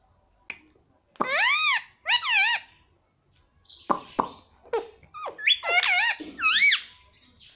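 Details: Pet parrot speaking indoors: loud arching harmonic syllables in pairs, a quiet gap, then clicks and a rapid run of rising and falling word-like squawks.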